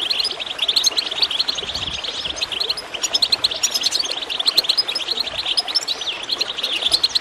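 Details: Goldfinch song over gurgling water, played to spur other birds into singing: rapid, bright, high twitters and buzzy chirps pour out nonstop, rising and dipping, with a busy steady texture.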